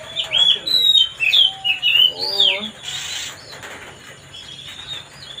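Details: White-rumped shama singing to provoke another bird: a run of loud, clear whistled phrases sweeping up and down, about six bursts in two and a half seconds, then fading into quieter, softer notes with a brief noisy rustle.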